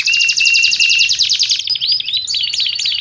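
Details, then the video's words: Nonstop canary song for masteran training and luring: a bright rapid trill over a level whistled tone, followed by looping, curling notes and wavering trills. "Suara Kicauan Burung Kenari Menggila Untuk Masteran Dan Pikat"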